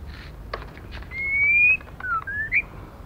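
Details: Female white-rumped shama heard to stimulate other birds: a sustained pure whistle that rises gently, a pause, then a low dropping note and a sharp upward flick, after scattered soft ticks.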